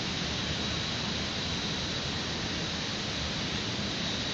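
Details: Loud, even broadband rushing noise like wind or distant traffic, with a faint thin high whine, and no animal calls.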